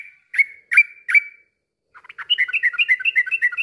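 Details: Yellow-vented bulbul, played to spur stalled birds into full song: three clear, slightly slurred whistles, a short gap, then a quick, bubbling stream of notes.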